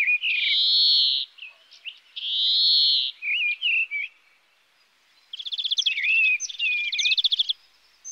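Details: European greenfinch giving two long buzzy wheezes in succession, a few short twitters, then rapid rattling trills repeated in two bursts.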